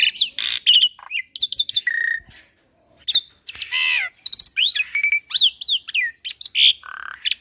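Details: Varied, nonstop song of a young Javan pied starling: rapid swooping whistles, sharp chips and harsh squawky bursts, a short pause, then more rising and falling whistled notes mixed with grating calls.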